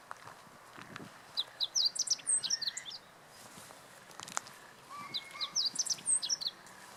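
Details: At Teganuma, Japan, in April 2017, a meadow bunting delivers two quick phrases of high, bright chirps and slurred notes about four seconds apart, with a few softer lower calls between and a quiet rural background.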